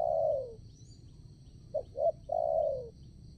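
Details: Decoy spotted dove luring wild doves into a trap: a long sliding coo, two quick clipped notes, then a second long downward coo, steady insect buzz in the background.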